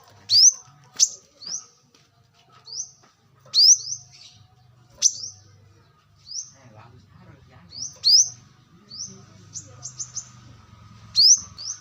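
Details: Brown-throated sunbird recorded in the wild for luring: repeated high rising whistled slurs and sharp chips at irregular intervals, over a low background hum.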